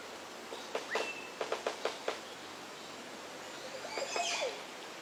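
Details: Montezuma oropendola calling: a quick run of sharp knocking clicks, then a liquid, gurgling phrase sliding downward near the end, over a steady background hiss.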